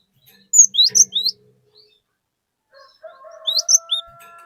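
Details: Lure song of a cinereous tit, sung to set other birds singing: a phrase of four bright whistled notes with falling slurs, a pause, then a similar phrase over a thin steady tone.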